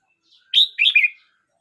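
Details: Red-whiskered bulbul, aged 12 months 29 days, delivers a single crisp phrase: a bright rising whistle, then two quick, slurred warbled notes, in clean quiet surroundings.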